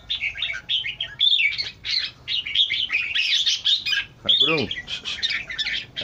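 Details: Red-eyed bulbul giving rapid chattering, whistled phrases, with a brief harsher rising-and-falling call near the end.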